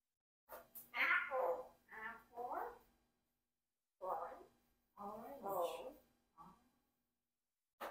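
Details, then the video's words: Rocky, a 4-year-old Congo African grey parrot kept as a pet in a flock, talks in clear, human-like syllables in two bursts of phrases with rising and falling tones and short pauses, possibly a newly learned word, in a quiet room. "Did Rocky Learn to Say a New Word?"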